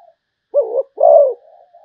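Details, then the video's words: Zebra dove song: a short soft note, then two mellow cooing notes, the second longer and falling at its end, with a faint trailing hum. "chim cu gáy malaysia/ cu gáy malaysia"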